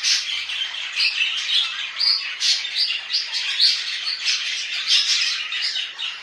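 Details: Pet budgerigars twitter and warble in a rapid, overlapping stream of squeaky chirps and short whistles, pulsing in small bursts about twice a second.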